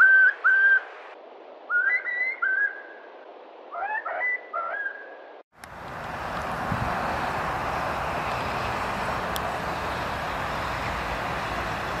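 A Far Eastern curlew gives several clear, rising and falling whistled calls over about five seconds. Steady, heavy wind-like rumble follows.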